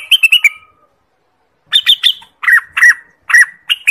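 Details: Orange-spotted bulbul (Pycnonotus bimaculatus) song: quick bursts of bright, bubbling notes around mid-high pitch, a brief pause, then several rich, slurred phrases repeated about twice a second.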